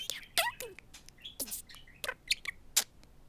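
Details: Male pet budgerigar, taught from March 2017 and partly learning from Siri, chattering in high, scratchy, speech-like bursts with quick rising and falling squeaks and clicks, about eight short notes across a few seconds, in an indoor setting.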